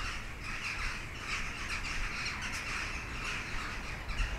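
Jackdaws chatter together, short harsh overlapping 'chak' notes from several birds, over a steady low rumble of wind.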